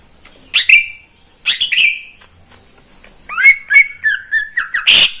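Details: Greater green leafbird, a caged pet in Indonesia, singing in the morning: separated harsh squawk-like phrases, then a quick string of whistled and chattering notes ending in a rough burst.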